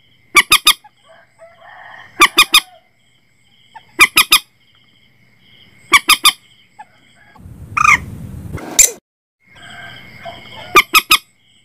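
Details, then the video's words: Repeated Common Moorhen triplet calls, recorded to lure birds into nets at night: sharp harsh notes in threes, about every two seconds, interrupted once by a loud noisy burst, with a steady thin whine behind. "suara burung mandar batu"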